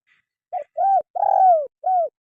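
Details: Spotted dove voice for prompting lazy caged birds to sing: a faint high chirp, then one clear phrase of four low coos, a short note, an arched note, a long slowly falling note and a closing arched note.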